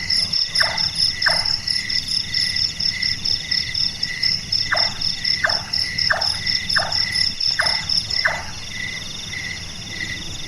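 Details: Carpenter-like knocking of a large-tailed nightjar, a bird active at night: two hollow chonks, a silence of several seconds, then a steady series of six, set against a dense ringing insect background.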